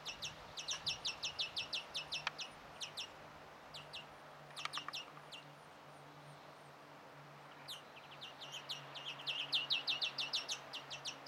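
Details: Begging of a European greenfinch chick as the parent feeds it, 1 June 2017: rapid trains of sharp high chirps, several per second, pausing in the middle before a dense, louder burst at the end; faint steady low hum beneath.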